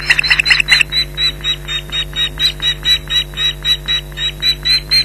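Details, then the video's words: Ospreys alarm-calling at an intruder near their Loch Garten nest, July 2011; a loud cluster of quick overlapping cries, then a slower series of softer repeated yelps with steady hum underneath. "Intruder Alert"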